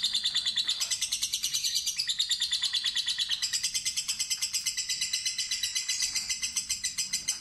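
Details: Fighter lovebird in a long ngekek chattering trill, played as a lure for an inexperienced bird: fast, harsh, high notes repeated about three times a second without a break, with a low background rumble.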